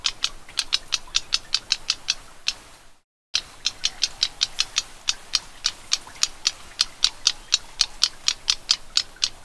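Black-browed reed warbler giving dry, high ticking notes, about four a second, steady and clock-like, with a brief silent break partway through.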